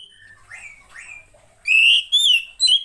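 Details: Oriental magpie-robin, female, whose calls are played to prompt males to sing. Soft scratchy notes at first. Then three loud, clear whistles that swell and rise slightly, separated by short gaps.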